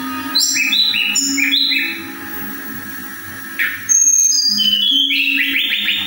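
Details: Pied fantail singing actively while fanning its tail, giving clear whistled notes stepping up and down in pitch in short phrases, against a steady electronic hum.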